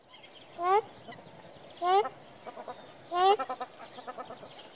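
Ruddy shelduck giving three loud, nasal, upslurred honks about every 1.3 seconds, with softer clucking notes between them.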